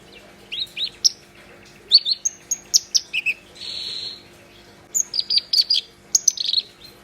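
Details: Black-browed reed warbler singing vigorously, mixing squeaky rising chirps with a sustained harsh buzzy rasp midway, then a rapid sequence of scratchy, chattering high notes.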